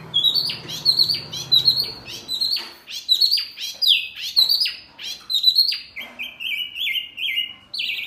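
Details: Small Wambi bird calling noisily, said to rile other birds: a busy stream of high, sharp chirps with quick downward flicks, bunched in rapid clusters, then a few longer flat buzzy notes near the end.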